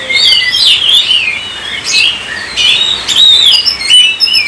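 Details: Oriental magpie-robin (kacer) singing in lively gacor style, used to stir other kacer into song: rapid, varied whistled phrases sweeping up and down, with sharp high notes and short chattery bursts in near-continuous flow.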